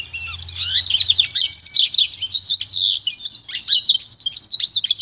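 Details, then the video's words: Pintagol, a goldfinch × canary hybrid, singing for song training: a fast, continuous run of high twittering notes, rapid trills and short buzzy rolls with scattered sweeping chirps, steady for five seconds. "canto puro do pintagol"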